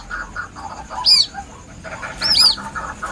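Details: Plaintive chick calls of a White-breasted waterhen, a hunting lure: two bursts of high, piercing arched chirps, the second a rapid double, above a low chattering background.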